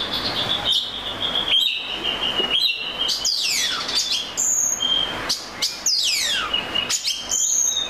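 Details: Oriental magpie-robin song of high clear whistles and steep down-swept notes, phrases repeated roughly every second or two, bright and ringing throughout.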